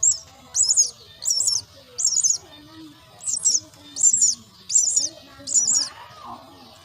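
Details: Myna chicks at the nest being fed, giving harsh, rasping high-pitched bursts in about seven clusters roughly one per second, with faint lower sounds beneath.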